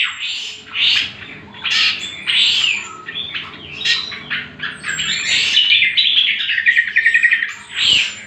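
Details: Greater green leafbird song used for training other birds: loud chattery bursts with high thin whistles, building to a rapid trilled run and finishing with a harsh phrase.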